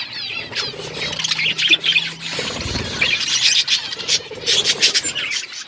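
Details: Outdoor aviary flock of budgerigars chattering continuously, dense overlapping chirps and warbles, with a soft low hum in the first half and a brief thud midway.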